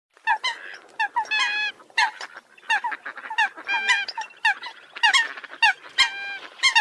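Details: Eurasian coot calls: short nasal, honking notes in clusters of two or three with sharp attacks, mixed with longer, evenly pitched tones, repeated irregularly over about seven seconds.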